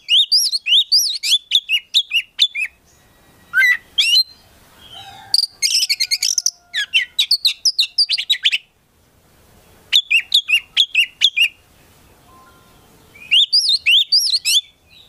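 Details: Prospect Oriental magpie-robin (kacer) in vigorous 'gacor full isian' song: long chattering series of rapid high chirps and swooping whistles in several bursts, separated by brief pauses with scattered softer notes.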